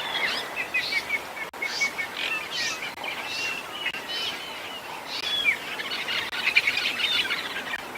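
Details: Red-billed buffalo weavers chatter in a busy chorus of harsh, squeaky notes and rattles over a soft outdoor hiss, near a dam with hippos on a humid, windy, overcast afternoon on 22 December 2021.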